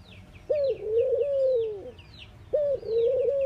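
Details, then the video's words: Mourning dove calling: two low mournful coo phrases, each opening with a brief rising note and drawing out into long, gently wavering hoots, while other birds chirp faintly higher up. "Mourning Doves Make Noise"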